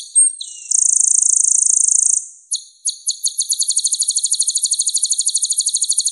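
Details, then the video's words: High, clear song of a purple-throated sunbird (kolibri ninja). A brief chip leads into a long, even, buzzy trill, then spaced sharp notes that speed into a rapid, rhythmic series of tinkling pulses. "MASTERAN KOLIBRI NINJA Suara Bening Kualitas Juara"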